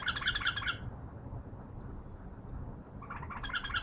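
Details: Caged bulbul under training reacting to a wild bulbul, giving a short burst of rapid, rich warbled notes, a pause, then another burst, over a steady low rumble.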